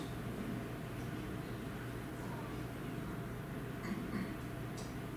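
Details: Low steady hum and faint indoor background noise, with no animal sound present.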